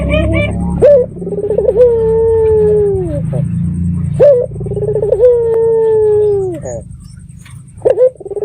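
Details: Red-eyed local puter dove, a lure call to draw replies from other doves; long drawn-out cooing notes that start with a quick rolling burst, then hold a steady tone and slide down at the end, over a low background rumble.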